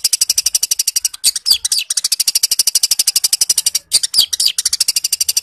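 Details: Long-tailed shrike singing in fighting mode and mimicking sparrows: a fast, even stutter of high, dry ticking notes, about ten a second, broken by a few swooping, scratchy phrases.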